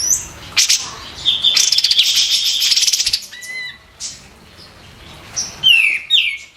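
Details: Training song from a white-eared bulbul, noted for loud sharp bursts: a buzzy rapid trill lasting about two seconds, then scattered rising and falling whistled notes.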